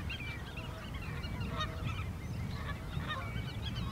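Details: A flock of greylag geese (Anser a. anser) at the Uitkerkse Polder, Belgium, in April 2017 keeps up a dense, overlapping chorus of nasal honks and cackles, with a steady low background rumble throughout.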